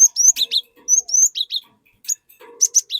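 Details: Lively cinereous tit song meant to draw other tits into singing: quick, bright rising whistles and slurred downward notes, repeated in a busy stream, then a short pause and more ringing notes.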